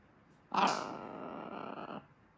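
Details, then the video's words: A female pet macaw growls while eating an almond, cracking the shell indoors: one harsh, buzzy, sustained growl lasting about one and a half seconds, loud at the onset and then steady before stopping abruptly. "Charley the macaw growls and eats an almond."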